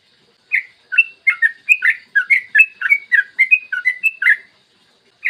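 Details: Short burst of yellow-vented bulbul ropel song from a morning master recording used to prompt other bulbuls: after a moment of silence, nearly four seconds of rapid, liquid chirping notes, then quiet, with one more note at the end.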